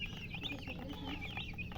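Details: Brief burst of chick peeping: a few high slurred chirps close together over a low hum.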